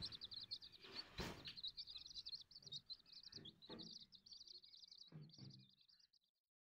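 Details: Silkie and Golden Sebright chicks peep in a fast, high-pitched chorus, interrupted by a sharp clatter early on and a few soft knocks, fading out at the end.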